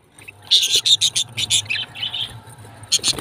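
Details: Parrots fighting, giving a fast burst of shrill, scratchy squawks and chirps. A second, softer burst follows, then a final short outburst, over a low background hum.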